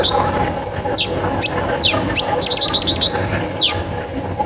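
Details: Singing long-tailed shrike, used to prompt others of its kind to sing: spaced falling sweeps roughly every half second, a fast burst of rapid clipped notes, then one more sweep, with background hiss.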